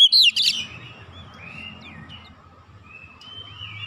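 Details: Oriental magpie-robin tutor song for an untrained bird: a brief loud burst of sharp chirps opens, followed by soft, drawn-out whistles over a steady hum and low background rumble.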